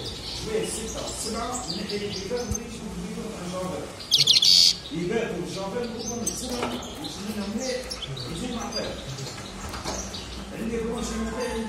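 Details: A European goldfinch sings a fast, tinkling, high twitter of rapid chirps and trills, while low voices talk in the background and a brief loud burst comes midway.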